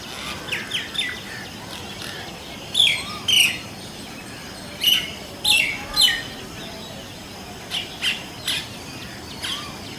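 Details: Several Indian common mynas calling in different voices: clusters of loud, squeaky whistles and harsh chattering notes in bursts, with short pauses between groups, and softer lower notes now and then.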